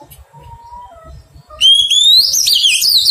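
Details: Oriental magpie-robin, a newly caught wild bird during taming, bursts into a loud whistled phrase that rises steadily and then breaks into quick warbling twists. Faint softer notes and low rumbling come before it.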